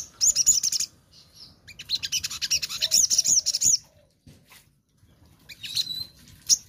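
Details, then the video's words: A crimson sunbird singing in the morning gives very high, thin chattering trills in quick bursts of about a second, separated by short pauses; used to prompt other sunbirds to sing. "Sogon Gacor di Pagi Hari"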